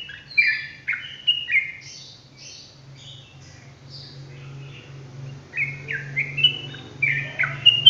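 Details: Yellow-vented bulbul in 'ropelan gacor' rapid-fire song. A burst of sharp, slurred chirps trails into a brief lull, then resumes as a fresh run of quick, bright downward notes, with a constant low hum underneath.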